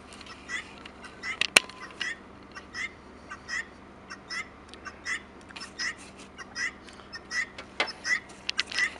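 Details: Wild turkey giving a long series of short, sharp clucks and yelps, spaced roughly every half second with irregular bursts, plus one loud knock early on.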